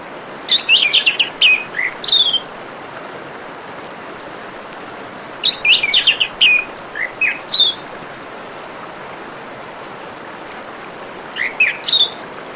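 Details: Orange-headed thrush delivering bursts of rapid chirps and sharp whistled notes, one burst roughly every five seconds, over a continuous background of gently running water.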